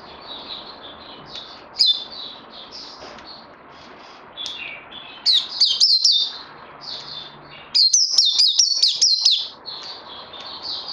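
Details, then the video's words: White-eye needing more training, recorded 18 May 2020: mostly faint high warbling, broken by two loud bursts of rapid slurred whistles near the middle and end, with a hiss of background noise. "Puteh Naughty Hercules need more training after Covid 19"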